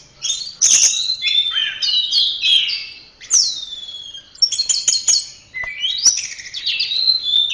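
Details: Singing orange-headed thrush, Indonesia, recorded as a tutor for caged birds: fast, mixed whistles and trills in clustered phrases, with downward slides and brief gaps.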